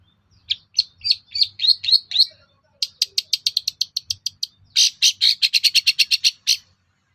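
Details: Long-tailed shrike song played to provoke rival shrikes to reply: a run of high sharp notes, then a fast string of clicking chips and a harsher rapid rattle.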